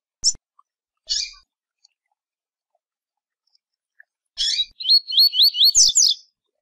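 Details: Rusty-collared Seedeater (coleiro) singing the "tui-tui" song type: a few sharp high chips, then a rapid run of buzzy, warbled looping notes lasting about two seconds.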